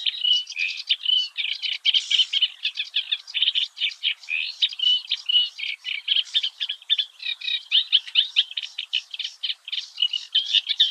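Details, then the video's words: Early-morning song of a Eurasian reed warbler at the Oostvaardersplassen, Netherlands: steady, grating chatter of quick repeated notes, some phrases doubled or tripled, with brief whistled inserts and no pauses. "Singing Eurasian Reed-Warbler"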